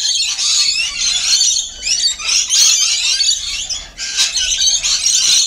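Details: Rainbow lorikeets feeding together produce a steady wall of piercing squeals and chatter, swelling and dipping briefly in loudness.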